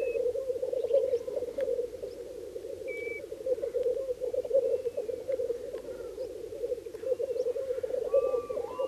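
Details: At a Black grouse lek in early spring in Bažu bog, Slitere National Park, Latvia, where 66 males were counted in 2009, males fill the air with a continuous low, bubbling, dove-like rookooing chorus; occasional sharp hissing notes and other birds' whistles above.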